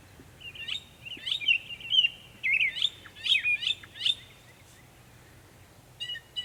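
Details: Northern mockingbird in Savannah, New York, on 23 May 2021, making many sounds: a string of varied, quick chirping and trilled phrases, some repeated two or three times. A brief harmonic, buzzy call follows near the end, with faint low background rumble.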